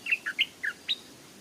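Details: A fierce wild Stripe-throated Bulbul, drawn across a canal on a sunny, windless day, comes down to attack a caged decoy bird: five short, bright chirping notes in about one second, slurring up and down around a middle-high pitch.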